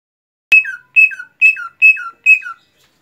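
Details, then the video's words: Greater green leafbird, a cucak ijo, singing five clear whistled phrases, each a bright high note sliding down into a lower slurred tail, spaced about half a second apart against a quiet background. "cucak ijo"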